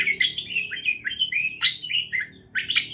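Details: Parakeet chirping: a warbled sequence of slurred high notes, broken by a few sharp chirps at roughly one-second intervals.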